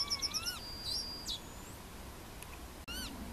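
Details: At Plochocin in July 2013, a Yellowhammer (Emberiza citrinella) ends a run of quick high notes with a long thin whistle, overlapped by rising harmonic swoops and a later burst of sweeping calls.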